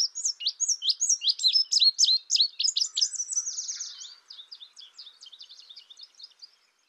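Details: Indigo bunting: rapid high chirps, loud and evenly paced for about three seconds, then a quick buzzy trill and a fading string of softer, thinner notes before silence.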